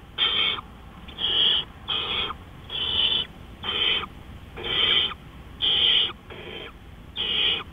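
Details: Owl calling at night, April 20, 2013, 3:15 AM: loud rasping hiss-screeches, about nine bursts of half a second each, repeated roughly every second.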